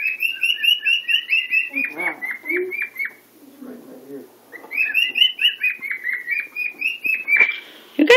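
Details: A pet cockatiel singing very loudly to show off for another cockatiel; long runs of quick, repeated chirpy whistles, a brief softer stretch with human speech, then the warbling resumes.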